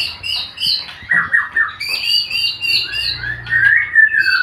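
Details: Male white-rumped shama singing a rich, varied song of quick warbled phrases, rolling whistles and scratchy high notes that follow each other almost without a break, then sweep into a sustained, rising whistled passage.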